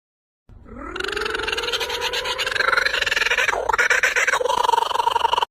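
Kookaburra starting low and rising into a loud, harsh, rapidly pulsing chatter, the rolling notes building steadily over about five seconds.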